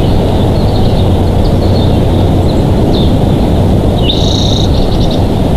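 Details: Bald eagle pair at their nest in Big Bear Valley, on a live nest camera, 07/12/2023: after faint calls, one high, thin, slightly tonal piping call near the four-second mark over heavy, steady low rumbling wind-like noise.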